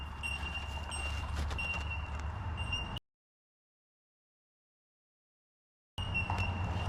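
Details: Australian bell miners calling along a river road: a steady, high, ringing bell-like tone holds on and off over a low traffic rumble, then drops out for a few seconds before returning.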